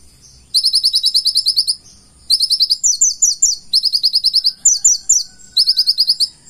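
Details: Konin, the purple-throated sunbird, in full-isian song: rapid high trilled bursts of even notes, broken by short pauses, with a few phrases rising and falling in pitch.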